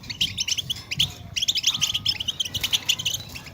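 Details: European goldfinch twitter for stimulating caged goldfinches: loud, busy, tinkling chirps in quick succession, a brief lull after one second, then an energetic run of bright, bubbling notes.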